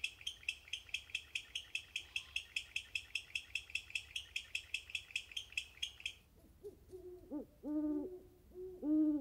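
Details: Great Horned Owls hooting close by in California grassland and high desert: rapid, steady high chirping fills the first six seconds, then deep, soft hoots in uneven groups take over.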